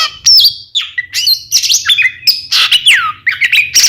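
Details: Two Oriental magpie-robins in full song, a recording meant to make rival birds answer: loud, fast-changing whistles, downward slurs and harsh squawky notes packed tightly together, over a faint low hum.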